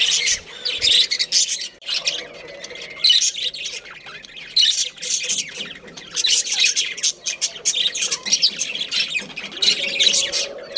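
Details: Budgerigar breeding pair, a budgie family of Australian parrots, giving dense high chattering and warbling, with rapid squeaky chirps and scratchy notes in overlapping bursts throughout.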